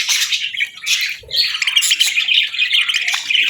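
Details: Budgerigar chirping at feeding time: busy high-pitched warbling and squawky chatter, pausing briefly after one second before a rapid run of sharp chirps resumes.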